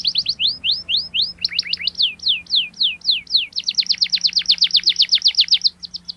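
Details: Canary singing as a learning lure for a young bird: spaced descending whistled sweeps, a lower paired trill, then a long fast rolled trill near the end.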